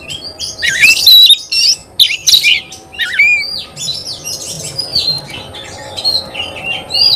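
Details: Oriental magpie-robin in lively song meant to excite other magpie-robins: loud scratchy bursts and slurred whistles early on, then softer, varied whistled phrases over a faint background hum.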